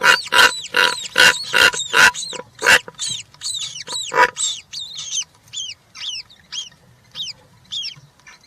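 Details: European rollers at a nest cam with three chicks on 20 June 2023 give a run of harsh, rasping calls about twice a second, then thinner, high squeaky notes that drop in pitch and repeat more slowly.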